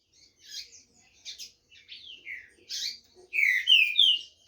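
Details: Caged green-winged saltator singing at a song tournament in Brazil, 15 July 2021: short bursts of chirpy notes, then loud slurred whistled phrases sliding downward near the end, in a quiet indoor setting.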